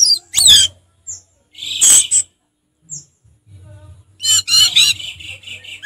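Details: Orange-headed thrush in relaxed ngeplong song: sharp high slurred notes, a dense rasping phrase, thin high whistles, then a rich rapid warbled chatter.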